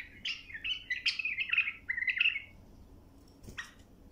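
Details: Bulbul song meant for training young birds to sing. A rich, gurgling whistled phrase fills the first half, followed by quiet and one short sharp note, over steady room hum.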